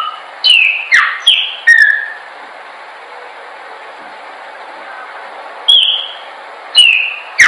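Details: Chopi blackbird song for training: four quick slurred whistles, each sliding downward, then a pause of about three seconds before three more clear whistled phrases, each opening with a sharp click.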